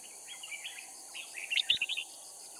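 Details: Caged decoy red-whiskered bulbul from Cao Phong used to lure wild bulbuls at Kim Bôi, Hòa Bình, Vietnam; soft warbling notes build into a louder, rapid run of chirpy whistles, with constant high insect buzz behind.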